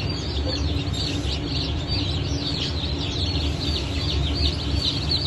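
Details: Young chickens of the Brahma, Fizan, Sultan and Appenzeller breeds, hatched 9 May 2024. Rapid, overlapping piercing peeps slide downward in pitch. A rumbling low background noise runs throughout.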